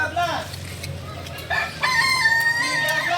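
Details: Performance practice by Kukuak Balenggek roosters, a singing breed native to Solok: a short crow, a quiet gap, then a strong new crow ending in a long steady high note, with low clucking underneath.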